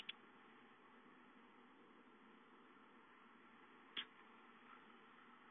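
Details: A quiet indoor hum like a fan runs throughout, broken by two sharp clicks, with no animal heard.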